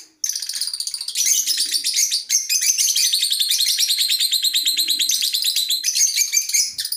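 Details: African lovebirds in a colony producing a continuous, intense stream of high, shrill, trilling chatter, many rapid pulsed notes blending together with scarcely a break.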